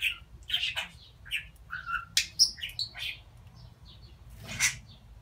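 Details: Pet budgerigar that talks and declares its love; a lively jumble of chirps, short buzzy warbles and rising and falling squeaky notes, a noisy rasp near the end, low hum behind.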